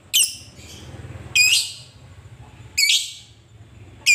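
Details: Lovebird calls meant to draw out a rival: three loud, rasping high squawks at irregular intervals of about 1.3 seconds, plus one clipped at the end, over steady low hum.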